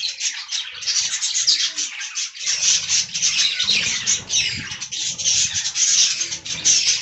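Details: Flock of budgerigars in an aviary, eating fresh green leaves; continuous loud twittering chatter with shrill squeaks and sharp clicks, over a steady low rumble of movement and rustling.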